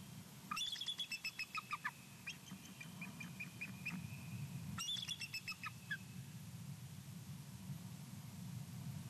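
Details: A pair of eagles calling along a shore, one having just landed in a tree, giving two bursts of rapid, high, staccato chittering notes tumbling downward over a low rumble of wind or traffic.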